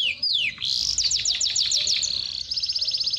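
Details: Falling whistles open this canary song, followed by a dense chattering run of fast descending notes and a closing, very quick high trill, sung for training birds and exciting females to breed.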